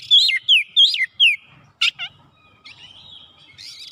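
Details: Oriental magpie-robin (kacer) singing in gacor form, seeking an opponent: four loud, clear whistled notes that slide down, then a harsh burst and two short chips, with quieter whistles after a pause.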